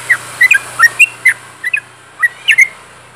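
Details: Sooty-headed bulbul in lively song, recorded close up: short, clear whistled notes, often in pairs, bouncing up and down across three seconds over a faint steady low hum.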